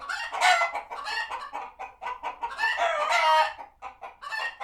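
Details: Sanctuary chickens reacting to a hawk spotted nearby, calling continuously: dense, overlapping cackles and harsh squawks rising and falling, with sharp louder outbursts and no pause.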